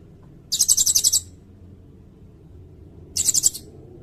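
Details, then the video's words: Sirindet song recorded as a tutor for songbirds and for luring birds: two bursts of very high, rapid buzzy trill, the first about seven quick pulses, the second shorter, separated by two seconds of quiet. "Suara burung sirindet buat masteran bagus juga buat pikat"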